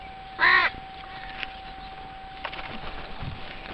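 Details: Crow at a zoo on Pentecost Sunday morning, near the zoo windows: one loud, harsh, nasal caw near the start, then quiet scattered rustles and clicks over a steady faint background hum.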